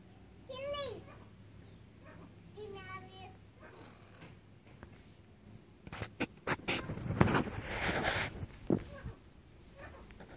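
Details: Chukar partridge pair, national bird of Pakistan: two harmonic, wavering, rising-and-falling notes near the start, followed by loud clattering and rustling noises with a few scattered faint calls.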